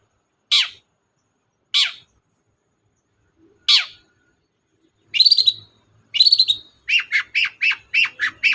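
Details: Long-tailed shrike singing to prompt another shrike that will not sing: three spaced harsh notes, then buzzy rising phrases and a quick series of repeated sharp chirps.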